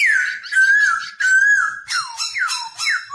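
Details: Caged black-throated laughingthrush singing and dancing, song for training young birds to sing: long sustained whistles gliding down then level, followed by quick descending slurred whistles repeated about every half second.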